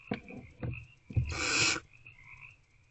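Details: Barn owls at a nest box at night during food deliveries, 28 February 2024: one loud rasping screech after three sharp clicks or knocks, with a faint steady tone underneath.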